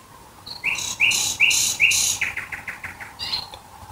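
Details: Near Dresden, Germany, a nightingale sings at night: four loud rising whistled notes evenly spaced, followed by a quick softer run of repeated clicks and a final high flourish.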